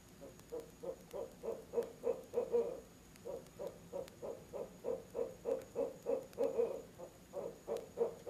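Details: Two barred owls hooting together at a nest box, 18 October, 7 pm, outside the breeding season: long bursts of fast, low hoots about three a second, a brief pause, then another excited volley.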